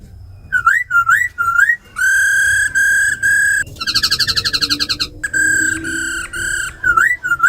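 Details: Tame laughingthrushes, a female giving ro khẹt calls and a black laughingthrush singing in forest voice style, used to stir wild-caught birds; clear looping whistles, then long steady harmonic notes and a fast buzzy trill, repeated whistled phrases.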